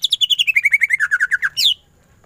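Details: Greater green leafbird giving a ngentrok burst for masteran: about fifteen rapid notes in under two seconds, stepping steadily down in pitch, closed by one higher rasping note.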